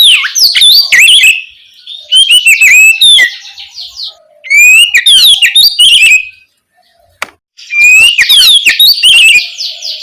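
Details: Oriental magpie-robin in full loud song at night, played as a lure so young spotted birds respond: rich bursts of varied whistles, slurs and rapid twittering notes in phrases of about two seconds, separated by short silences.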